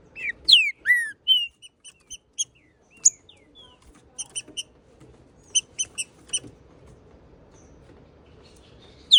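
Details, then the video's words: A male Green-winged saltator (trinca-ferro) sings intensely in a territorial "hot" song: loud, rich whistled phrases that slur down, then sparse high, thin notes over a low background hum. "Macheando muito trinca ferro"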